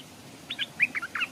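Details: Caged decoy Stripe-throated bulbul hanging by a stream, wild birds approaching but not landing; five or six quick, clear chirped notes in a bubbly phrase lasting under a second.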